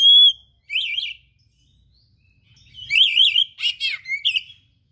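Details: Oriental magpie-robin in full, active song, its phrases filled with rare imitated material and offered as a tutor recording: a clean rising whistle, then loud wavy warbled phrases and sharp trilled notes, separated by short silences.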